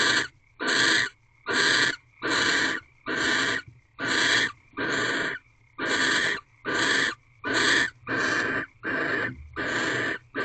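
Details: Pre-dawn, 4:17 am on 3/4/23, barn owls mate inside a nest box on their fifteenth night: a rhythmic train of rasping, hiss-like screeches, roughly fifteen evenly spaced bursts over ten seconds, nothing else audible.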